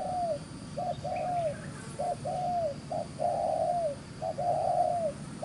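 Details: Quick-mouthed wild field spotted dove cooing 'gù xiết' style, two-note phrases of short hoot plus longer sloping coo repeated steadily, one phrase noticeably longer, with faint distant chirps over low hum.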